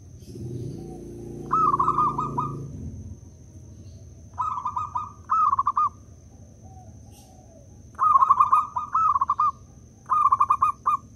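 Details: Local zebra dove used as a decoy to make other perkutut sing: low rumbling noise first, then well-spaced loud phrases of fast stuttering coos, mostly in pairs, over a steady faint high whine.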